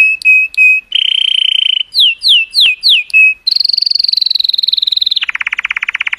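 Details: Cheerful color canary singing for the females: short whistles, a flat buzzing trill, four quick downslurred notes, then a long high trill dropping to a lower rolling trill.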